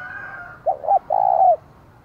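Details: Spotted dove kept as a decoy, giving a loud provoking call meant to stir up wild doves: two short clipped coos, then one long level coo. A faint steady higher bird tone sounds in the background.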